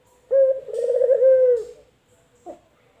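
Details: Single long coo from a male puter, the collared dove, local or white variety: steady low tone with a trembling middle section, followed by a brief soft note.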